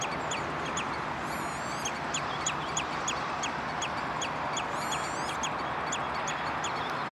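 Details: Redshank at De Wollebrand water storage, Naaldwijk, Westland, Netherlands, on 11 June 2013, giving a steady series of short, piping whistles roughly every third of a second, with brief higher trills, against constant heavy rushing noise.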